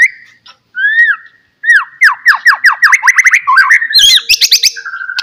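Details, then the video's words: White-rumped shama song used as a lure to make other shamas sing: varied whistled notes, then a rapid series of sweeping downslurred phrases and sharp high chips, ending on steady whistles. "DENGAR KICAUAN MURAI GACOR INI"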